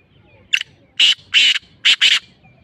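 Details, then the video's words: Black francolin giving its harsh, grating call: a short clipped note, then two rasping notes and a quick final pair, all within about two seconds. "Black Francolin voice Masti Kala Tetar awaz"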